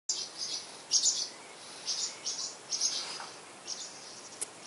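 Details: Purple martin nestlings, 11 days old, close to the camera in spring, Spring Branch, Texas, give thin, high, raspy chirps in short, uneven bursts, several overlapping, with a steady hiss behind them.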